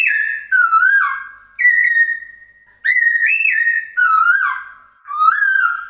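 Chinese hwamei singing loud, rich whistled phrases, each about a second long with sliding and warbled notes, repeated after short pauses.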